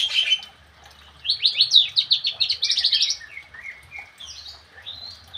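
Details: Javan cochoa: a fast run of bright, rising slurred notes repeated about five times a second, followed by softer, drawn-out whistles. A faint low rumble sits underneath.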